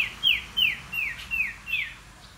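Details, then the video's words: Iora in training as a fierce decoy bird, giving five clear whistled notes, each sliding downward, spaced about a third of a second apart, with a quiet rural background. "นกขมิ้นน้อย ฝึกหัดหัยเปนนกต่อสายโหด สายดุ"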